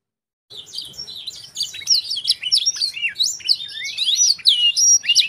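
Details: Canary-training song of a black-throated canary: after a brief silence, a lively stream of high warbled whistles, sharp upslurs and fluty downslurred notes, delivered without pause and growing louder.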